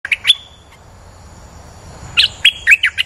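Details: A bulbul lure call, said to draw females in, with bright chirpy bursts: one brief sustained whistle near the start, then a lively cluster of five or six chirps after a pause.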